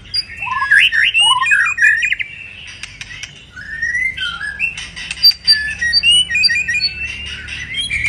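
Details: A moulting white-rumped shama gives quick looping whistled phrases and slurred notes mixed with sharp chips and squeaks, in a varied, loosely spaced sequence.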